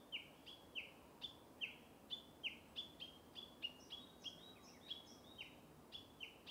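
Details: Uguisu, the Japanese bush warbler, in bamboo forest: sharp downslurred high notes repeated steadily about every half second in a long series, over quiet forest ambience.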